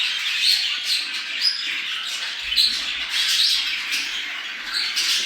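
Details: Budgerigar mating chatter used to bring birds into condition: lively twittering with repeated sharp chirps and brief whistles standing out roughly every second above continuous scratchy warbles.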